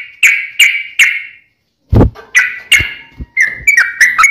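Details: Sooty-headed bulbul singing, used as a prompt for a kept bird. Three spaced ringing notes are followed by a dull thump, then more whistled notes that speed into a quick bubbling run.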